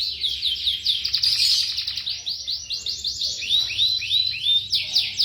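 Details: Young canaries singing in a training compilation: dense chattering trills and rising and falling slurred whistles, continuous and varied, high pitched with almost no low sound.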